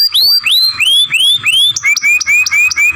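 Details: Young canary trained for song gives a steady run of clear rising whistles, roughly three per second, shifting to shorter, lower upslurred notes.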